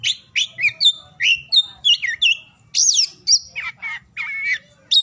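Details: Oriental magpie-robin singing, a recording meant to prompt mute or lazy magpie-robins into song: varied whistled phrases, sweeping slurs and a harsher buzzy burst mid-clip, delivered in quick bursts with short gaps.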